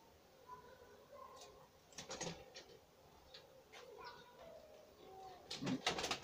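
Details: Homing pigeon youngsters about to begin eating independently, with thin whistled squeaks, some short rising or level notes, mixed with scratchy rustles and a loud noisy flurry at the end.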